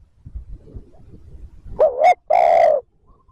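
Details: Spotted dove cooing to stir and lure wild doves into responding. Soft rustling comes first, then two loud, low, resonant coo notes, the second long and steady.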